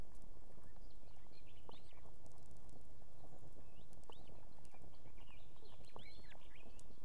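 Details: At an Estonian osprey nest holding two chicks, the female calls the male to bring food in the evening: scattered short, arched whistles, several in quick pairs, against noisy background rumble and clicks.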